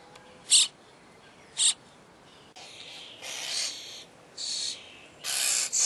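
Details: Common starling babies begging at feeding time. Two short sharp squeaks come first, then a run of longer, louder, rasping hiss-like calls that swell and break off, in a quiet setting.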